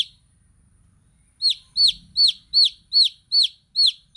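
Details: Chicks chirping, a baby chicken sound: after a second of near silence, eight piercing downward-sliding peeps come at an even pace, about three per second.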